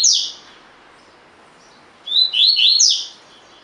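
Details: Collared seedeater 'tui tui' song used as training audio for caged birds: the end of one phrase, then a full phrase of rising whistles dropping into bright buzzy slurs.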